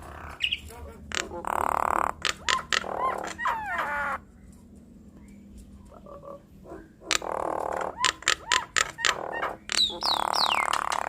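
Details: Nias hill mynas in a duet, used as a lure to provoke quick responses from other mynas: harsh buzzy bursts, short whistled slurs and sharp clicks in uneven runs, broken by a quiet pause near the middle.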